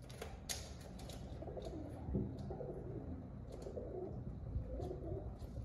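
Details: Pigeons giving low, rolling coos in several drawn-out bursts, each a muffled warbling phrase, against a constant deep background hum with occasional sharp knocks.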